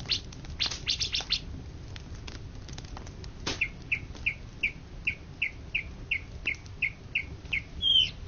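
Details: Greater green leafbird, named national champion in Indonesia for 2013–2014. The clip opens with dry clicks and rustling. A steady series of short, rising whistled notes follows, about three per second, and ends in a brief high trill.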